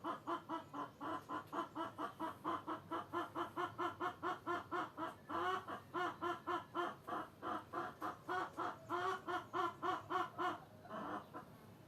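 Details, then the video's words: Long, regular series of short clucking notes from hens, about four per second, briefly overlapping and thickening midway, ending with a few scattered calls. "Kotkodálás és kukorékolás hangeffekt (Chickens with rooster sound effect)"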